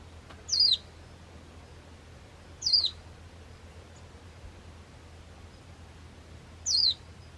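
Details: Warbling white-eye that visits a home garden every day in Kasaoka, Okayama Prefecture, Japan. It gives three thin, high, downward-sliding call notes at uneven intervals over a quiet background with a faint low hum.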